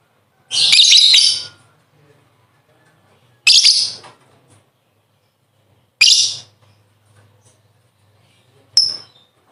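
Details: Lovebird 'ngekek' chatter used for training birds: four harsh, hissing high bursts, the first longest at about a second, spaced two to three seconds apart with silence between.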